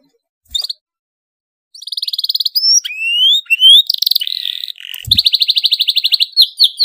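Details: Excited canary song with dense rolls, meant to make other canaries join in: after a brief note and silence, rapid trills, rising whistles and a buzzy phrase, ending in a long fast trill.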